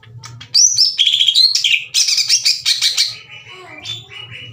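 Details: Caged greater green leafbird pouring out loud, aggressive song, challenging other leafbirds to fight; harsh chattering and slurred high whistles in a dense burst, then quieter flat whistled notes; low hum in the background.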